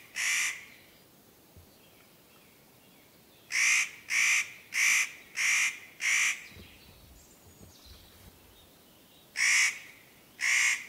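A spotted nutcracker gives harsh, rasping crow-like notes: one, then a quick run of five, then two more, each about a third of a second long.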